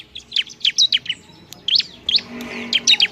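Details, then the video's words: Bar-winged prinia (ciblek) singing noisily to provoke other prinias: quick bursts of high, sharp, slurred chirps in short groups with brief gaps. "TERBAIK suara ciblek RIBUT bikin emosi ciblek bahan"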